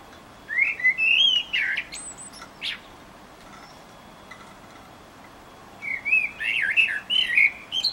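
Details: A pet Eurasian blackbird in Utrecht on 9 June 2014 sings two mellow, fluty warbled phrases a few seconds apart, each closing in a thin, high twitter, over a quiet background.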